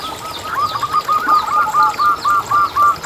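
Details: Local zebra dove song, played as a lure to get other zebra doves singing: a steady run of short, rounded, bubbling coo notes about four times a second, with faint high chirps from other birds behind.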